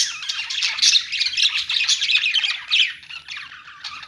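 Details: Budgies chirping in a pet store: a continuous run of rapid, rasping chatter and squeaks from a group of birds, loudest in the first three seconds, then softer.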